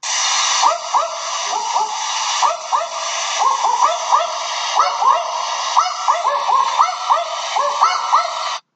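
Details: A pair of Barking Owls duetting on the Central Coast of New South Wales, trading short, dog-like double 'wook-wook' barks several times a second over a steady background hiss.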